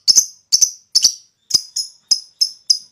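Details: Lovebird provoked into calling and chattering in the long ngekek style; sharp high clicking chips in doubled bursts, about eight notes over three seconds, no other sounds.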